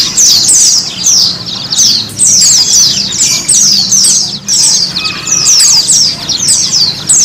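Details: White-eye therapy song for encouraging pet white-eyes to sing and become gacor; busy, piercing high twitters and fast falling trills run on steadily, with a short lull near the midpoint and a faint low hum beneath.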